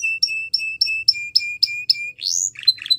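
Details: Belgian canary teacher song for training young canaries: a run of clear, evenly repeated whistled notes about four per second, then a quick rising sweep and a few short chipping notes.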